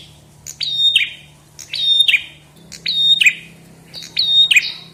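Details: Chestnut-headed tesia song with four bright, forceful phrases roughly every 1.2 seconds, each starting sharply, holding a level whistle, then falling away quickly over a faint low drone.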